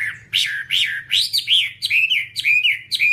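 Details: Whambie tutor song: loud, sweet whistled phrases that swoop up and down, including short rising notes and longer wavering whistles, over a faint low hum.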